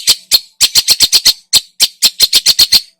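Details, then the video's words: Long-tailed shrike singing loudly with a mimicry-rich song, used to excite other birds: a rapid, rattling series of harsh, identical chack notes, roughly five per second, broken by two brief pauses. "burung cendet gacor, full isian"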